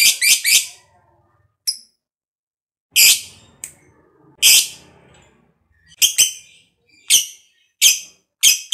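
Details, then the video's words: Fighter-type lovebird giving shrill, high chattering song, used to stimulate other lovebirds to sing; short piercing chirp bursts in irregular clusters with brief silences between. "Pancingan Lovebird Ngekek Panjang"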